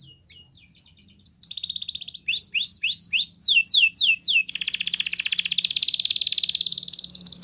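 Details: Training song for young canaries, with short series of rising whistled notes, a buzzy trill burst, more quick upswept notes, a run of steep falling slurs, then a long, loud, rapid, rolling trill.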